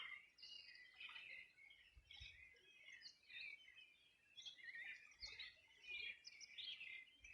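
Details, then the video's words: Birds singing at the shore of the Río Bueno, Los Ríos Region, Chile, on a summer morning in 2020: overlapping rapid chirps and twittered phrases from several birds, steady throughout, with faint low thumps. "Sonido de las aves a orilla del Rio Bueno"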